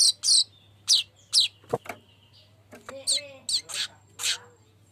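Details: Golden-headed weaver calling energetically, used to lure birds: loud, sharp high chips in irregular pairs, a dull knock, then softer twittering notes with a faint whistle, over a low hum.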